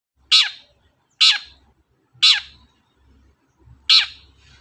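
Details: Long-tailed shrike giving harsh, rasping downward-sweeping notes, four loud calls spaced about one second apart, used as a lure sound to provoke other birds into singing; low background hum.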